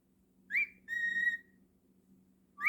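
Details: A pet cockatiel whistles: a short rising note, then a steady held whistle lasting about half a second, then another rising note starting at the end. Quiet background.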